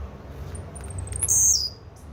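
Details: Blue-black grassquit: a quick run of faint ticking notes building into one sharp, wheezy high buzz, over low hum.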